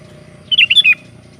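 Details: Sooty-headed bulbul calling companions: one rapid phrase of four rich, bubbling whistled notes, falling at the end, over a steady low hum.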